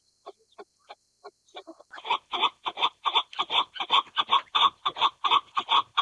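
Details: Chukar partridge calling: a few scattered soft clucks, then a loud, harsh rhythmic series of chuck notes building steadily, roughly two to three per second.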